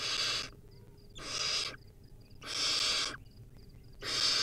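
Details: Harsh, breathy hissing screeches from a wild baby barn owl eating a rodent at its nest, filmed by a live camera. Four loud bursts come about once a second, with soft, high chirps in the gaps.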